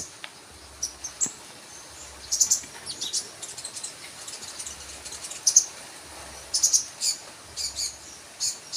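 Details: Sunbird calling in scattered bursts of very high, sharp chirps, some single and some in quick clusters, across a faint hissing background.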